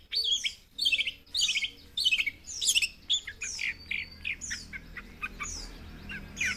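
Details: A young long-tailed shrike with fighting spirit delivers a varied, jumbled song. Bursts of sharp squawky notes alternate with clear down-slurred whistles, and the phrases come in irregular groups with short gaps between them. A faint low hum sits underneath.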